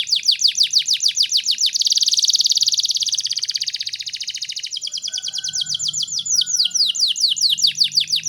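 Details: Canary in full song, played to encourage young canaries to sing: fast repeated high arched notes, a dense rolling trill in the middle, then more rapid repeated notes with a faint lower whistle.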